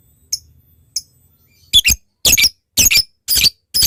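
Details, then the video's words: Lovebird lure call for a rival: two faint, thin ticks, then a run of loud, harsh doubled squawks roughly every half second. "Suara Lovebird Memanggil Lawan Ini, ngetik lanjut ngekek"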